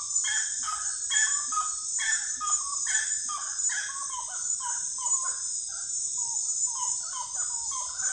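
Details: Common gallinule delivering a long chattering sequence: harsh, rapid clucks at first, then softer, lower notes trailing off. A continuous high-pitched insect chorus plays behind.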